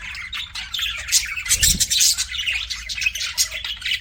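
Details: Kept budgies twitter and squawk rapidly in a scratchy, buzzy jumble of short notes. A brief low thump comes midway, and a faint hum lies beneath.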